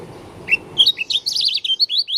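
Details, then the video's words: Dakun Oriental white-eye from Lombok, described as strange-voiced, starts with two separate high whistles, then a quick, jumbled string of sharp rising and falling twittered notes. "Pleci dakun lombok suara aneh"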